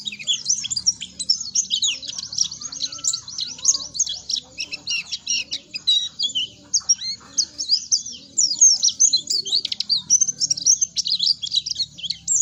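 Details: High-pitched, densely packed twitter from an Oriental white-eye, a lure recording meant to prompt untrained birds to start singing: twelve seconds of nonstop squeaky chirps and trills with a faint background rumble.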